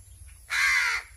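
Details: Hungry crow calling while being fed: one loud, raspy, drawn-out caw lasting about half a second, with steady low hum behind it.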